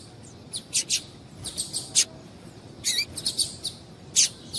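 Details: A female double-collared seedeater calls to stir males into song: irregular high, thin chirps, some single and some in short clusters, over a soft steady background hiss.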